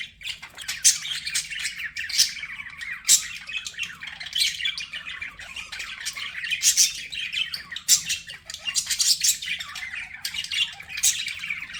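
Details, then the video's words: A group of pet budgerigars keeps up steady high chatter, buzzy warbles mixed with sharp squawks that peak every second or two over a constant twittering background. "BUDGIE SOUNDS"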